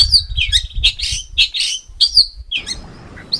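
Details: High slurred whistles and scratchy bursts from a songbird in harsh 'tembakan kasar' tutor style for contest birds, with a low rumble beneath, fading into hiss near the end.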